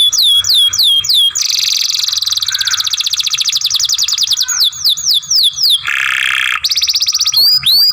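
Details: Young canary under training sings downslurred whistles, a long rolling trill lasting several seconds, more looping slurs, a harsh buzz, then high upswept notes.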